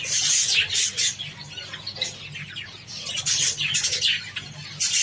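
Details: Several Java sparrows eating wheat: clustered high, squeaky chips and crackling seed-pecking taps, arriving in uneven bursts separated by short quieter gaps, over a faint low hum.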